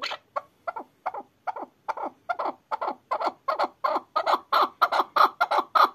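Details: Hunting chukar partridge, excited, starts with spaced single clucks that speed up and swell into a loud, regular chuk-chuk series.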